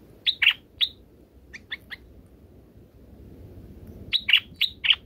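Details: Bulbul nestlings in the nest while a parent feeds them grape and banana; short, sharp high chirps come in two bursts, a quick cluster of four at the start and another four near the end, with softer chirps between over low background rumble.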